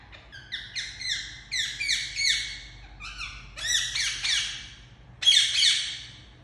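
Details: Indian ringneck parakeet kept as a pet, calling indoors: harsh, bright squawks in quick bursts of several notes, each with a falling tail, repeated roughly three times a second in uneven groups, with a low steady hum beneath.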